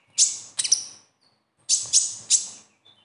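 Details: A sunbird gives its typical call, played to prompt young or silent captive birds to sing: high, harsh chattering bursts in two groups, two then three, each a rapid sweep of sharp notes, with a quiet background.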